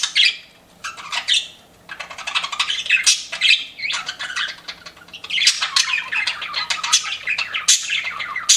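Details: Several pet budgerigars chirping, a continuous stream of harsh, buzzy chatter and rapid warbles in overlapping bursts, loud and high-pitched throughout.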